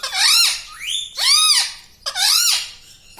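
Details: Household parrot talking at home, said to say mummy, papa and radhe radhe; three loud, drawn-out, arched nasal utterances, each about half a second, at a steady pace.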